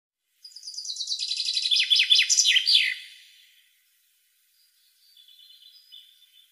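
A European goldfinch gives a fast, high tinkling song of liquid twitters and buzzy trills for about three seconds, followed by a fainter distant twitter.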